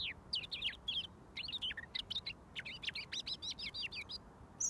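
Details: Robin singing from about a foot away until mealworms come. A lively string of quick, regular high chirps and slurred notes, rising and falling, almost continuous.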